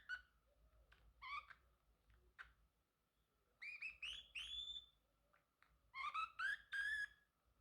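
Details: Male Pacific parrotlet singing and chirping indoors: a few scattered, faint chirps, then two louder runs of upward-sweeping, ringing notes.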